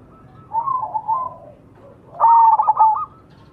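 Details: Majapahit-type zebra dove (perkutut) giving a lure song for quick singing: a soft bubbling coo phrase, a short pause, then a loud burst of fast, clipped cooing notes lasting under a second.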